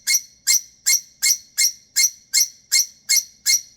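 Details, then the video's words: Female pet lovebird throwing her usual bedtime temper tantrum because she wants to go to bed: about ten shrill, sharp squawks repeated very evenly, roughly three per second, with nothing else in the background. "Bedtime Love Bird Temper Tantrum"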